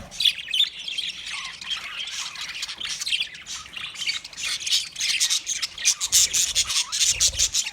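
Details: Budgie parrots chattering rapidly, scratchy chirps and trilled warbles tumbling over one another without pause, growing slightly louder toward the end.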